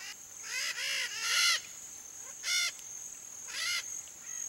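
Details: Red-shouldered macaw, Brazil, Pantanal fauna, free-flying: harsh, buzzy squawks with stacked harmonics, given singly or in quick pairs about a second apart, over a steady high insect whine.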